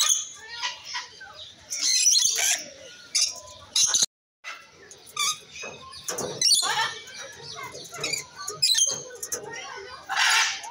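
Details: Rainbow lorikeet whistling: bursts of sharp, high chirps and shrill screechy notes in uneven clusters, broken by a brief silence near the middle, with softer twittering between the louder bursts.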